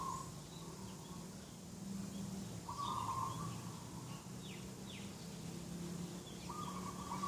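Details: Dove heard at dawn by a garden, 2 October 2021, giving three flat, held coos spaced a few seconds apart; a low steady hum underlies them and other small birds chirp faintly.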